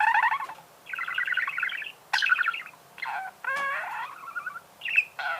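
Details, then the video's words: Budgerigar singing: a busy, chattering warble of rapid buzzy trills and clicks around the middle pitches, broken by short pauses, with one rising whistled slur and a few sharp chirps. "Пение волнистого попугая. Голоса птиц"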